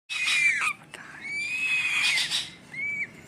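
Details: Hand-fed grey-headed fish eagle chick gives thin, high, drawn-out squealing whistles, three insistent begging cries, the middle one longest and slightly rising.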